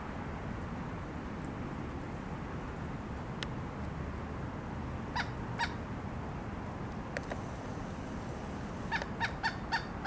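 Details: A pileated woodpecker drills for insects while excavating a hole: scattered sharp knocks, then a quick burst of taps near the end, over a steady low rumble of wind.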